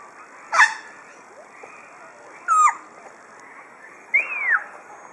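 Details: An African grey parrot at Dresden Zoo, recorded 9 May 2011, gives three separate calls about two seconds apart: a sharp squawk, a falling whistle, then a rising-and-falling whistle, over a steady soft hiss.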